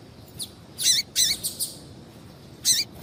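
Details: High, bright chips from a female double-collared seedeater calling to stimulate a male; a couple of louder, broad notes are followed by softer quick ones and another strong chip, with faint hiss behind.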